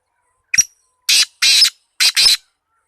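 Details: Black francolin, locally called kala tetar, giving a harsh grating call: a short sharp note followed by four rasping, broadband bursts in two pairs, the longer bursts roughly a quarter-second each, with a quiet background.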